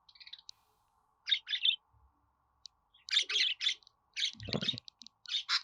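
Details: Budgerigar producing bursts of buzzy chirps, first scattered, then crowding into a fast, overlapping chatter in the second half, with a low thump near the end.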